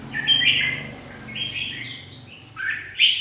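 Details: Competition-singing red-whiskered bulbul gives loud, clear whistled phrases, a longer warbling run followed after a lull by a sharp rising note and a quick flourish, with a low background rumble.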